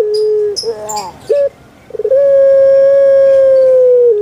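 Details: Captive puter pelung dove: a sustained coo, then short wavering and clipped notes, a pause, stuttering pickup notes and one very long, level, hollow drawn-out note sagging slightly at the end.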